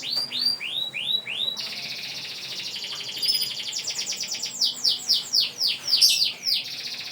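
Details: Canary singing with long breath: a few separate high, arching notes, then an unbroken stream of fast, shimmering trills and sweeping rolls that continues to the end; offered as a lure for other canaries.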